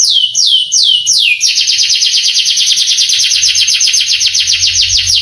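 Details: Canary tutor song meant to stir young canaries into answering and singing: a few slow, high down-slurred whistles, then a dense, rapid trill held steadily to the end.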